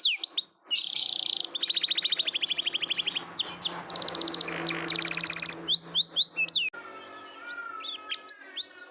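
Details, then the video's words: Canary singing to draw silent canaries into song: varied trills and rolling repeated phrases over a faint steady hum, breaking into softer scattered whistles near the end. "Canary sounds, Pancingan burung kenari, kenari diam jadi ikut bunyi, canary singing"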